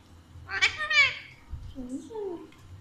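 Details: Playful, intelligent pet Alexandrine parakeet talking in Urdu/Hindi: one harsh, harmonic, drawn-out word-like utterance, followed by softer gliding tones in a quiet room.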